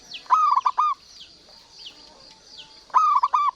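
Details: Local Zebra dove singing steadily: a bright, clipped cooing phrase of three to four notes, repeated after roughly two and a half seconds, with faint high chirping birds in the background.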